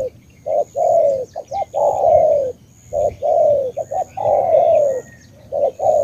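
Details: Spotted dove from Cà Mau province, Vietnam, in 'tú' cooing style: short clipped hoots and long resonant descending coos alternating in a rolling rhythm, with faint chirps in the background.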